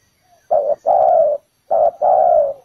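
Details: Two clear coo phrases from a spotted dove kept as a ground decoy for trapping: each is a short hoot followed by a longer, smooth coo, loud and close.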